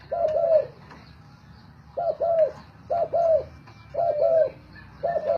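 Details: Competing spotted doves, decoy birds for sale: a regular series of paired low coos, each phrase rounded and hollow, coming roughly once a second after a pause, with faint background hum.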